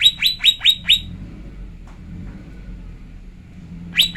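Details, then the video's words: Female lesser green leafbird call used to provoke males to sing: five quick downward-swept chirps in a row, a long pause with faint low hum, then one more chirp at the end. "Pancingan cucak ijo betina JEBOL EMOSI"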